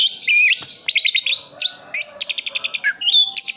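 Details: Song of an orange-headed thrush in Sidoarjo, East Java, Indonesia: a long whistled note, then rapid stuttering trills of clipped notes, a sliding whistle and a closing high sweet phrase, a faint low hum behind.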